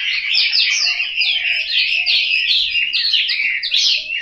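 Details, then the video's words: Chinese hwamei kept as a caged household bird in Hanoi, Vietnam, delivering a strong, unbroken run of bright rising and falling whistles and chattering phrases, with faint low notes under it. "Họa mi"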